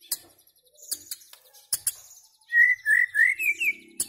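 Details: Scattered sharp ticks from a white-rumped shama lead into five loud, clear whistled notes that step upward in pitch.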